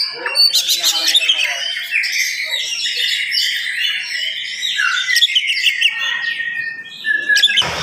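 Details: A morning oriental magpie-robin in full, fast song to raise the aggression of other magpie-robins. Sharp high notes open a long, unbroken stream of warbles, whistles and trills, ending with a sharp click.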